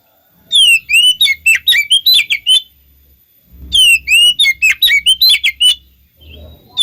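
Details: Lure song of an oriental magpie-robin, mixed to make other magpie-robins respond; two separate bursts of crisp descending whistles and quick warbled notes, each lasting about two seconds, with a quiet gap between them.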